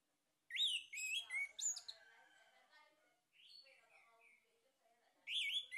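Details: Orange-headed thrush male singing, a lure track to prompt other birds to sing: loud rising whistles and squeaky trills, then softer warbled notes before another bright phrase returns at the end.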